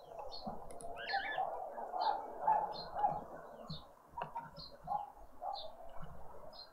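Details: Green woodhoopoes feeding as a family on a spring Sunday morning in a Pretoria suburban garden, South Africa. A continuous rasping, cackling chatter, with short high chirps from another bird repeating about every half second and faint low background rumble.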